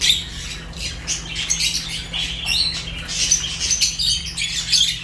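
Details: Fischer's lovebirds chattering continuously, with dense overlapping high squeaks, chirps and harsh squawks that swell and fade throughout, over a steady low hum.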